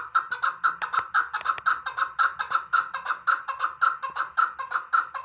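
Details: Chukar partridge, called keklik, giving a loud, even series of sharp chuck notes, about four each second, sustained throughout with a faint low hum in the background.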